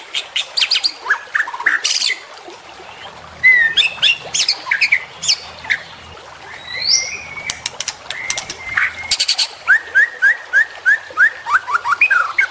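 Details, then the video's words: Juvenile white-rumped shama singing a long, busy medley: sharp clicks, high rising whistles and harsh notes. Later comes a steady run of short upslurred whistles repeated about three times per second. "MASTERAN Trotolan Murai Juara Supaya Cepat Rajin Bunyi & Gacor"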